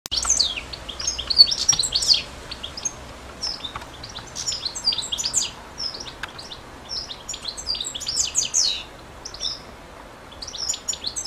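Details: European goldfinch singing a fast, high twittering song of tinkling, buzzy and rising notes in dense bursts, with brief pauses between phrases and a quiet background.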